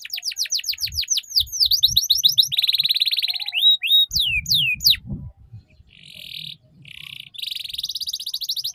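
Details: Tutor song of a canary for young birds learning the ngeriwik style, with fast series of descending whistled sweeps, a dense buzzing trill, then rising slurred notes and further sustained rattling trills, loud and clear throughout.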